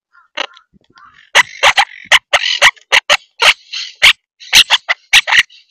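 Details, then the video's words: Monk (Quaker) parakeets at Tampa Bay, Florida, squawking loudly: harsh, grating screeches repeated rapidly, roughly three per second, some drawn out and chattering, after a couple of softer notes at the start. "Monk (Quaker) Parrots, Tampa Bay, FL"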